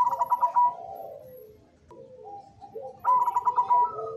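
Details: Cemani zebra dove singing in manggung style: a pulsed, stuttering burst of cooing notes that slides downward and fades, a quieter low coo in the middle, then a second pulsed burst begins near the end.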